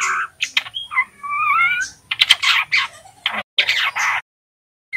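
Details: Young male white-rumped shama of forest stock practising the ngeriwik song, played to spur birds into singing: sliding whistled notes in the first two seconds give way to harsh scratchy bursts and clicking chatter, with short gaps between.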